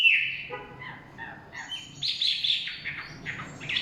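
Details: Chinese hwamei in forest giving a brief, varied song of descending whistles and higher bursts of notes, moderately loud against a noisy low background.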